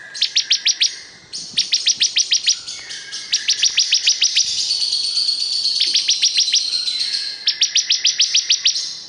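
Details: Bar-winged prinia (ciblek kristal) in full vigorous song, rapid series of sharp high ticking notes in bursts of five to eight, separated by brief pauses and a drawn-out thin trill, clean and loud.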